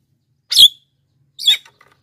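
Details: Black-winged myna singing strongly, a recording used to call wild mynas and stir reluctant singers: two short, loud, rasping squawks about a second apart, with a few faint ticks afterward.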